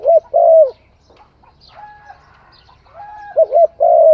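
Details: Spotted dove song: a full coo phrase opens, a quiet pause holds faint distant whistles, then a short double coo and a long soft coo close the phrase.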